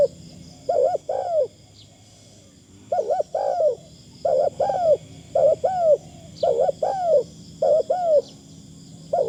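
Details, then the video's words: Spotted Dove used as a decoy, cooing in a gentle, light 'karom' style. Throaty two-part phrases, a short bubbling note then a drawn-out downslurred coo, return at irregular gaps across the recording, with a constant faint high-pitched hum behind. "ต่อนกเขาใหญ่ เสียงดีมากคารมบางๆฟังแล้วเพลิน"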